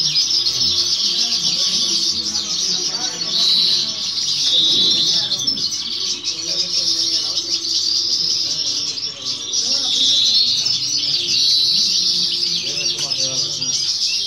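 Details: European goldfinch, a novice bird, singing during a singing competition in 2018 or 2019: a dense, continuous run of high twittering and tinkling notes with brief clear whistled tones, and faint low murmuring of people behind.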